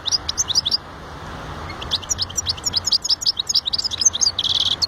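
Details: European goldfinch delivering a sprightly song of quick, high chirps in rapid succession, a short gap, then a dense run of tinkling notes ending in a nasal, buzzy rattle.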